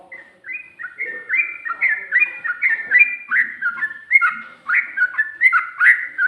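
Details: Sooty-headed bulbul delivering ropel-style song with ngikluk and garuda turns: an unbroken, rapid chain of rich slurred notes, each dipping and rising, poured out at a steady lively pace.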